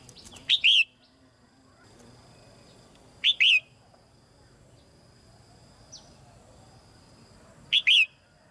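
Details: A female red-whiskered bulbul in a cage sings so that newly matured birds will sing more; three brief sharp whistled phrases spaced roughly three to four seconds apart, each a chirp then a down-slurred note.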